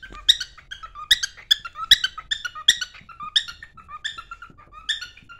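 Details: Cockatiel song, a pet bird heading toward its mate: loud squeaky chirp bursts with rich harmonics, each followed by a short lower whistled note, about seventy-odd bursts a minute.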